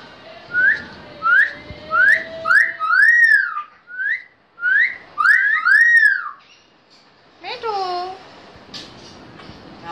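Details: A Pakistani talking myna repeats short, whistled, speech-like phrases such as "Allah hu" and "Allah", each an arching rise-and-fall about every two seconds, with a few lower gliding notes near the end.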